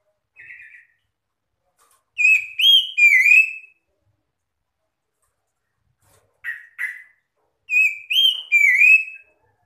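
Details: Magpie-robin answering song meant to call others and set stressed birds singing: a brief buzzy chip, then a loud three-part whistled phrase, repeated after a pause and two scratchy notes.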